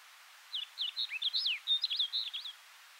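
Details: A snow bunting at Kiritappu, Hokkaido, in June 2015 gives one quick, two-second warbled phrase of bright, high chirps and slurred sweeps over a faint background hiss.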